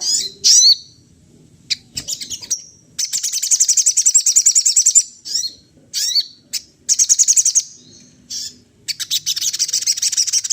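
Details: Sunda laughingthrush imitating other birds' sounds: shrill high chirps, then long buzzy rattling trills two to three seconds each, broken by short sharp notes and brief pauses.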